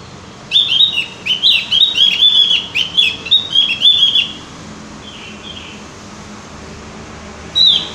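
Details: Song of the Javan grey-throated white-eye, played to coax birds into singing: a lively three-and-a-half-second stream of quick, slurred whistles, then a faint soft phrase and a single bright note near the end.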